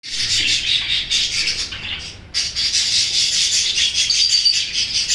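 Budgerigars chatter in a dense, continuous stream of high chirps and warbles.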